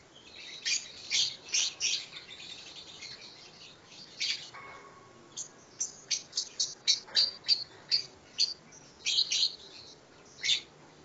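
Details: Lovebird practising the long trilling ngekek song, which is said to run 7 to 15 minutes. Sharp, high, scratchy chirps come in quick bursts, about two per second, with a short quieter gap in the middle.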